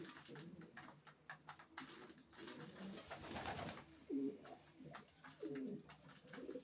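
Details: Racing pigeons indoors, a few low throaty coos in the second half after a stretch of clicks and movement noise.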